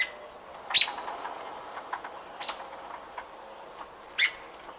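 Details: Nesting robin on day 28, June 5, 2018, giving a few clipped, high-pitched chirps at irregular intervals of one to two seconds, with soft rustling and faint background noise between them.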